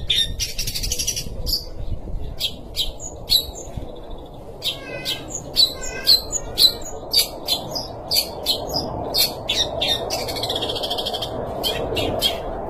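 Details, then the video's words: Long-tailed shrike from Sumatra, singing hard: a long varied series of quick sharp chirps, clicks and short whistles, roughly two each second, over a steady low hiss. "Pentet sumatra gacor"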